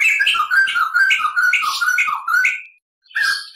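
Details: White-crested laughingthrush tutor recording, long clear roll: a rapid string of repeated whistled, slightly harsh notes, then a short pause and a fresh outburst.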